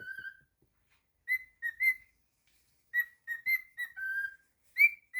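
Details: Pet cockatiel giving short whistled phrases, some notes sliding up and others held flat, separated by brief silences; quiet indoor setting.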